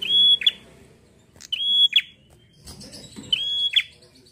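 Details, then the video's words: High, even whistled notes from a bar-winged prinia, each cut off by a sharp flicking burst, sung three times in quick succession in the persistent 'gacor ngalun' manner, with faint rustling beneath. "Suara prenjak Gacor ngalun fighter mantul!"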